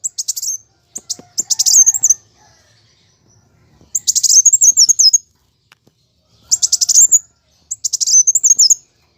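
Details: Fighting song from a plain sunbird, played to get kept birds singing: repeated bursts of rapid high-pitched chips and brief rolling trills, each phrase about a second long with silent spaces between.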